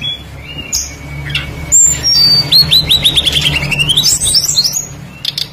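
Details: Tledekan flycatcher lure song, described as a bird in full voice with many varied phrases and meant to make other birds start singing: high whistled notes, a rapid descending trill of clear pulses, then a rising whistled run, over a low background hum.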